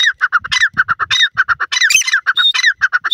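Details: Dakhni teetar, a grey francolin kept for its calls, giving a rapid run of short, bright repeated notes, several per second, with harsher rising squawky phrases breaking in between.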